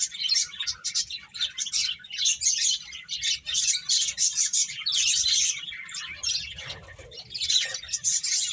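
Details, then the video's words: Busy high-pitched chirping from finches playing, rapid clusters of tweets with short gaps, growing fuller toward the end. "Beautiful Birds Chirping Sounds | Cute Finches Playing"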